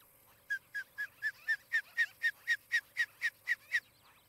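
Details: Osprey at a nest by tree-top homes in Charlo, Montana, on a camera, 23 July 2018, morning: after a brief pause, about thirteen even, piercing downslurred chirps rattle off at four per second, then stop.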